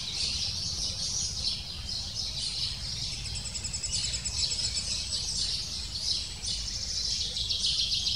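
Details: Lesser spotted woodpecker chick in the nest calling insistently to its parents, which come every few minutes to feed it: a dense, high chattering stream of thin calls over steady low background rumble.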